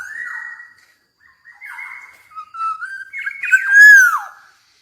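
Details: Black-naped oriole from Java, singing actively: a steady flat whistle, a pause, then a run of clear fluting notes ending in a loud, rich whistle that rises and then slurs downward.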